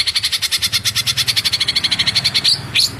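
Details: Greater green leafbird in its rapid "tembakan rapat" singing style: a fast, even volley of sharp high chipping notes, about ten per second, ending in a short upward whistled sweep. A low hum runs underneath.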